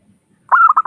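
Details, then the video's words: Local zebra dove with a crystal voice, used to lure other doves into calling: a brief fragment with one drawn-out coo followed by two quick shorter notes. "Suara Burung Perkutut Lokal Gacor Pancingan Perkutut Agar Cepat Bunyi"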